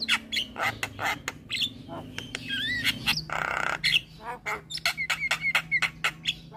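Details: Javan myna singing a lively, varied song full of fill-in phrases, used to stir other mynas into singing: rapid harsh clicks and squawks, rising and looping whistles, a rasping burst mid-way, then a run of short repeated whistled notes.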